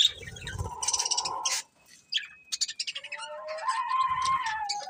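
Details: Budgerigars, a breeding pair, chirping: a buzzy harmonic warble, then scattered high chirps and a soft rapid series of clicks, ending in busy tonal chatter.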